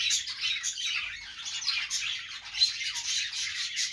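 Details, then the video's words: Several budgerigars warbling and squawking at once, a bright, scratchy chorus of rapid chirps with few pauses. "budgies sounds"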